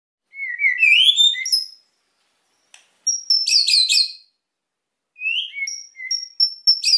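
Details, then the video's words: White-rumped shama singing energetically, used to provoke quiet birds into singing: rising whistled phrases sliding upward, a pause, then dense buzzy chattering bursts, followed by clear high whistles and sharp repeated notes; no other sounds. "MURAI GACOR EMOSI BIKIN MEMANCING BURUNG YANG PENDIAM"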